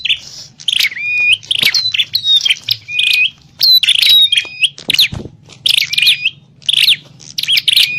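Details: Bar-winged prinia fighting call for luring wild prinias: continuous noisy volleys of raspy chatter studded with bright whistled upslurs, a brief thud near the middle.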